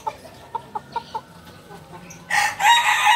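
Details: Kukuak Balenggek rooster, a purebred from Solok, West Sumatra, Indonesia. A few short clucking pulses come first, then a loud, harsh, harmonic-rich crow bursts in and carries on in two sustained sections to the end.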